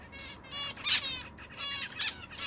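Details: Zebra finch giving a run of nasal, buzzy, harmonic-rich calls, about four or five bursts in quick succession with brief gaps, fairly loud and close.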